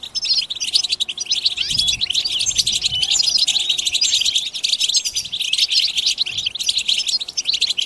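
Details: Collective goldfinch twittering known as batbata, played to stir goldfinches to sing: a steady wall of high tinkling chirps and quick trills from many birds, with soft low thumps now and then.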